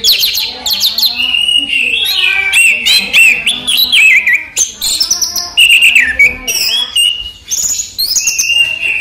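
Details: Orange-headed thrush, known locally as anis merah or si raja teler, a kept songbird singing during the day: a rich, fast, varied run of bright whistled phrases and trills, sliding up and down, with short pauses between bursts.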